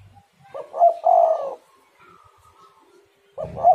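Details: Spotted dove calling as a lure to start other doves singing; one full low three-part coo, clipped opening note then rolling drawn-out ending, with a faint whistle between phrases and the next phrase starting at the end.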